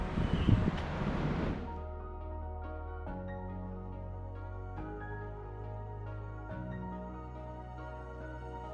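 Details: A burst of wind noise gives way to soft, sustained instrumental music with slow chord changes every couple of seconds.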